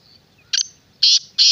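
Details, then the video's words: Black francolin, known locally as kala teetar, giving three harsh, grating broadband notes, the first short and the last two longer and louder, against a quiet background. "Black Francolin kala Teetar"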